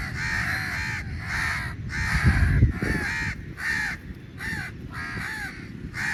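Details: A large flock of crows fights for meat; rapid, harsh caws in separate bursts, several birds overlapping, with a brief thump-like low noise midway.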